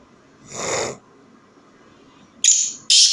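A Black francolin gives two loud, harsh, grating notes in quick succession at the end, after a soft breathy rush of sound and a quiet background.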